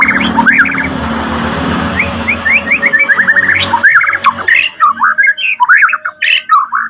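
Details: Agitated white-rumped shama singing as if eager to meet a rival: quick slurred whistled notes and chattering phrases, loud and varied, over early low rumbling background noise.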